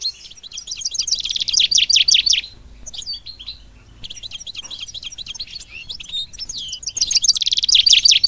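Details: Mule of the goldfinch sings bursts of rapid buzzy trills and chattering notes, with a quieter twittering stretch between the louder phrases and a low background hum.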